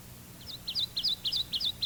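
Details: Kentucky warbler song played back from an old instructional tape: a musical, bouncy whistle of repeated two-noted chiree phrases, about six in under two seconds, each slurred upward then down, steady and clear over faint hum.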